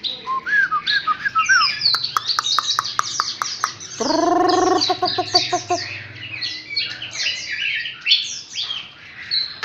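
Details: A newly caught wild Chinese hwamei, filmed close up, sings a rich, fast run of varied whistles and slurred notes, broken by quick ticking clicks and a burst of harsh, rasping chatter.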